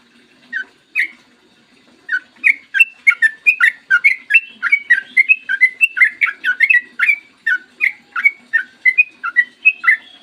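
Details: Long morning song of a yellow-vented bulbul, meant to prompt other bulbuls to sing: two lone notes, then an unbroken rush of warbled, bubbling whistles over a soft low hum.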